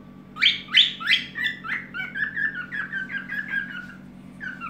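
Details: A cockatiel in an evening singing session whistles a quick run of about a dozen notes, two loud, bright opening whistles then softer notes dropping in pitch, over a steady low indoor hum.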